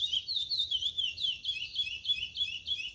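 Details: Chestnut-bellied seed finch, a brown-plumaged 'pardo' bird starting to sing out the CD 357 'Cascatinha' song style at pace 0.80: rapid run of clear, slurred whistled notes, each swooping down then up, about three per second, steady and bright.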